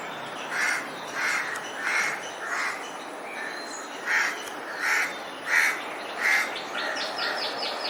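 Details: Nest-preparing crow calling: a series of about ten coarse caws in two bursts separated by a short pause. A quick run of high, thin chirps near the end comes from another bird.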